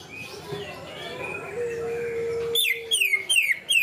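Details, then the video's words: Canary-style song material from a greater green leafbird: a long, steady, low whistled tone, then a rapid run of bright, high notes, each slurring sharply downward, repeated about three times a second. "cucak ijo materi ngunci kenari"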